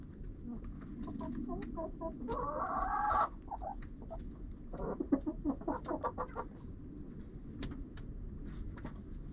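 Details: Chickens in a coop with a GoPro placed inside: a rising drawn-out squawk around two to three seconds, then a burst of rapid rhythmic clucks, with scratching and pecking noises throughout.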